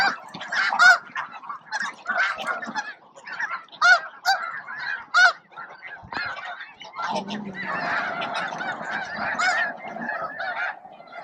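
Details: Snow geese by the thousands at Bosque del Apache around noon, feeding, grooming and facing off for a spot, a few Ross's geese among them; loud overlapping nasal honks in bursts, thicker flock clamor in the last seconds.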